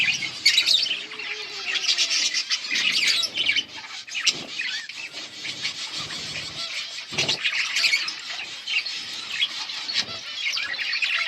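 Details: Several budgerigars in steady chatter, meant as sound for lonely birds: shrill chirps, warbles and squawks running on without pause, with a few brief low thumps or rustles mixed in.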